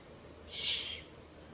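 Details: One owl chick at a nest in a ruin during a night feeding on 1 May 2024 gives a single loud, breathy hiss lasting about half a second against low background hum.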